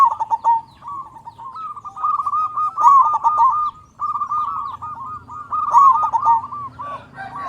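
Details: Strong-voiced local zebra dove, used as a lure to make doves call, gives a nearly continuous series of rolling, bubbling coos at a steady mid pitch, phrases running into one another with brief breaks.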